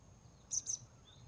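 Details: Blue-crowned hanging parrot heard while luring wild birds at a new spot: two very short, shrill, high-pitched notes in quick succession, with a low steady hum underneath.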